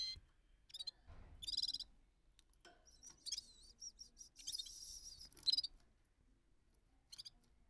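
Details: Bulbul, locally called gulsar, singing in a rolling style: short bright chirping bursts and buzzy trills in irregular spurts, with brief pauses between phrases and a faint low rustle near the start.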